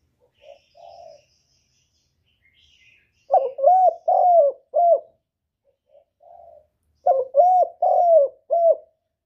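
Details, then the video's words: Male spotted dove cooing to prompt a female to lay: a soft lead-in note followed by a phrase of four low, hooting coos, the phrase repeated twice about four seconds apart, with faint higher chirps in the background. "Tiếng chim cu trống kích mái mau đẻ"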